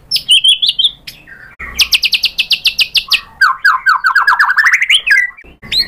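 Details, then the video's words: Excited white-rumped shama answering a provoking lure song and showing its filler material: a warbled whistle, then a rapid buzzy train of high notes, then a quick series of rising chirps that climbs in pitch. "MURAI BATU GACOR memancing EMOSI jadi NYAUT BONGKAR MATERI ISIAN"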